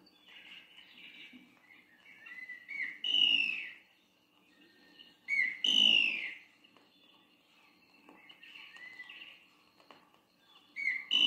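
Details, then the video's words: Antbird (Papa-formigas) gives loud, rising whistled cries in bursts every few seconds, between softer chirping phrases. "Os gritos do Papa Formigas eram incentivo para a marcha. O canto"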